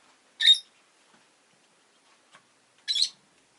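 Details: Two newly arrived pet Rosy-faced lovebirds utter two loud, harsh, high chirps about two and a half seconds apart in an otherwise quiet room, with one faint tick between.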